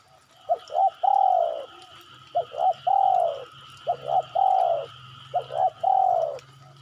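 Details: Lure recording of a spotted dove to prompt replies from other birds: phrases of two quick coos and one longer descending coo, repeated four times steadily, over a faint constant high electronic whine and low hum.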